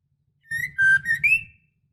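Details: A female white-rumped shama in breeding condition calls the male with one brief whistled phrase: a dipping note, a level tone, then a rising whistle.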